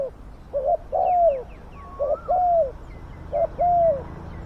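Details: Spotted dove used as a decoy for luring and catching wild doves: three steady cooing phrases, a brief coo then a drawn-out descending one, with faint high chirps in the background.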